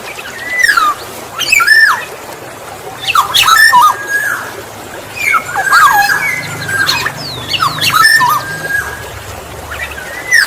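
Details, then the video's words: Black-naped oriole song played to lure other orioles, with harsh, nasal, downslurred phrases rich in overtones repeated roughly every two seconds, separated by short quiet gaps over low background noise. "Suara Alam kepodang emas | Pancingan burung kepodang"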